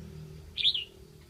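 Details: Decoy red-whiskered bulbul from Lạng Sơn singing to lure wild birds: one brief, bright warbled phrase that rises and then drops, over a low steady background hum.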